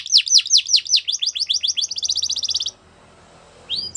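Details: Belgian canary song used for training young canaries: a series of high, sharply down-slurred whistled notes, speeding into a rapid, even trill that stops abruptly, then a brief new phrase begins after a pause.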